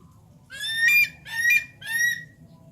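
A Javan pond heron gives three harsh, nasal squawks, each about half a second long, over a low background rumble.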